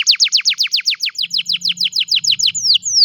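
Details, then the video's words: Canary song recorded on a mobile phone: a fast tour of sharply falling whistled notes, roughly three or four per second, shifting midway to shorter notes and ending in two long descending slurs. "الكناري بالتأكيد ستحب غناء الكناري الجميل هذا Canary Singing"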